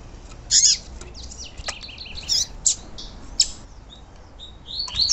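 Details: Female papa-capim, the yellow-bellied seedeater, giving calls meant to stir up a male kept at home. Varied high, thin chirps and short buzzy notes in loose bursts, with several sharp clicking sounds over faint low hum.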